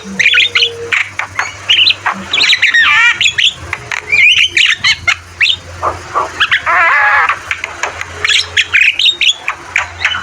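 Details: Javan myna in full song for training caged birds: dense chattering with trilled, warbling stretches and harsh squawks, repeated in bursts across the clip, a low hum beneath.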